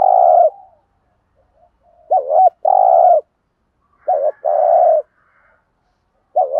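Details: Spotted dove used as a decoy, 'thúc gù' urging coo in 'giọng thổ' voice: repeated phrases roughly every two seconds, each two brief rolling hoots then a long, even coo, one cut off at each end.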